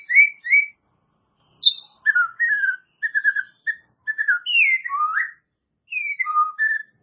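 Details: Murai batu, the white-rumped shama, singing clear whistled notes and short trills in bursts, some phrases sliding down then sharply up, with brief silences between.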